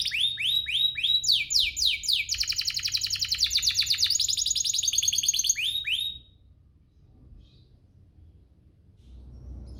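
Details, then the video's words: Domestic canary song used as a lure to provoke other canaries into singing: quick rising whistled sweeps, then dense, fast high trills and buzzy rolls for about six seconds, ending abruptly and leaving faint background hum. "Pancingan ini EFEKTIF BANGET, burung kenari lain langsung terpancing untuk GACOR"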